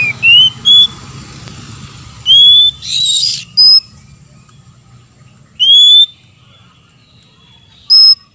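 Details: Oriental magpie-robins, a female and a male answering each other, used as a lure recording to rouse other magpie-robins: loud, clear whistled notes in short separate phrases, some sliding upward, spaced irregularly over several seconds, over a faint low hum.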